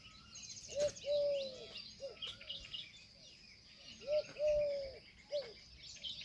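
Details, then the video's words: Indian peafowl calling in paired phrases, a brief hooked note followed by a drawn-out steady tone and a clipped end note, given twice, with chattering small birds and a couple of sharp clicks. "Peahen bird the Indian peacock/most clear sound/peafowl different mor peacock dance"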